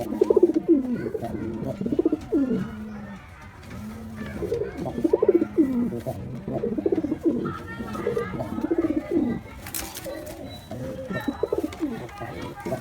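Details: Courting white pigeon cooing before mating: deep, bubbling coos rising and falling in repeated phrases, one short sharp noise near the end.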